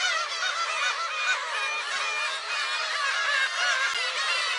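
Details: A dense chorus of black-tailed gulls at a shrine on 10 July 2015 gives nasal, cat-like mewing calls that overlap constantly, many birds calling at once with no pause.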